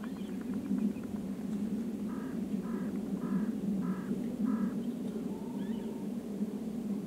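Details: Velvet scoter (Melanitta fusca) at Lake Tabatskuri, Georgia, the species' only Georgian breeding site, of the small Caucasus population, gives five short, nasal, buzzy calls about half a second apart, over a steady low rumble of wind or distant engine.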